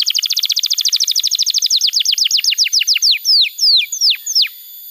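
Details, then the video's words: Singing canary used as a model for young canaries and to restart silent ones: a quick run of high chipping notes that gradually slows into long, clear downward-sliding whistles near the end. "Pancingan Suara Kenari Gacor‼️ Ampuh untuk Masteran Kenari Muda dan Terapi Kenari Macet Bunyi"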